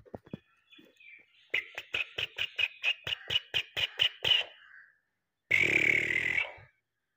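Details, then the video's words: Black francolin call, played to draw francolins in quickly and excite them: a rapid train of about a dozen sharp, evenly spaced clicking notes, followed by a pause and then a loud harsh buzzing burst. "Teetar ko Jaldi bulani aur Masti men lane wali Awaz تیتر کو جلدی بلانے اور مستی میں لانے والی آواز"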